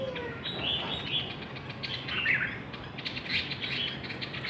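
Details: Hwamei singing in a contest: sliding whistles and bright chirped phrases, spaced bursts of song over a noisy background.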